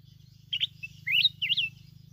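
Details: Mountain red-whiskered bulbul from Bình Thuận, Vietnam, heard while being trapped with a decoy. It sings three quick, lilting phrases of rising and falling whistles, each well separated, over a low constant hum.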